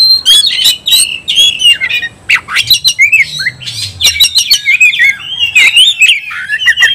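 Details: Oriental magpie-robin in fighting-provoking song: loud, varied phrases of sliding whistles, harsh squawky notes and scratchy chatter, delivered almost without pause, with brief gaps between bursts and a faint low hum beneath.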